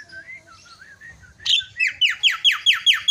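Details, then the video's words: Myna lure to make a quiet myna agitated: gentle wavering whistles, then a sudden run of loud, harsh, down-slurred notes, about four per second. "terapi jalak macet"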